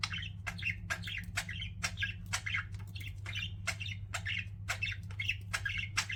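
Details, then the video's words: Pet budgies chattering steadily: repeated short squeaky warbles alternating with sharp clicks, roughly evenly spaced, quiet over a steady low hum. "CUTE PET BUDGIES CHIRPING"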